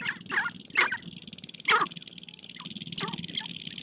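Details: At a spring courtship gathering on a prairie hill, sharp-tailed grouse fight and dance for females, giving loud harsh cackles and squawks, three strong bursts in under two seconds, then softer clucks over a high hum.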